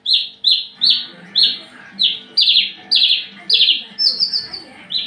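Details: Male-style mating song of a Javan bush lark in breeding condition, behaving aggressively. Repeated short, high chirps slurring downward, roughly two per second, broken by one higher rattled trill before the series resumes.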